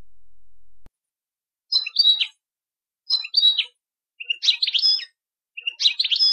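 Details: Song of a European goldfinch played to teach young birds: four short, buzzy, twittering phrases spaced about a second apart, growing slightly louder.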